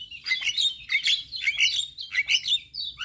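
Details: A male Javan myna sings a tutor song meant for other mynas to copy. The song is a steady stream of squeaky, chirping notes with rising and falling twitters, given in quick clusters of about three per second.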